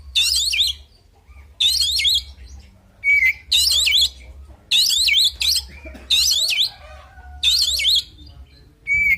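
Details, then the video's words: Oriental magpie-robin fighting song built from harsh, buzzy, rattling bursts about a second long, repeated roughly every one and a half seconds, with an occasional short, pure whistle between them. "Suara Burung Kacer Full Isian Tarung Bikin Emosi"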